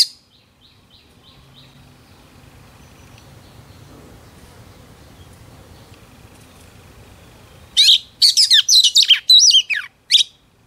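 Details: Oriental magpie-robin hen, song mixing whistles with drum-like phrasing: a few faint high ticks, a long quiet gap, then a dense burst of loud, rapid, high chirping and sliding whistled notes.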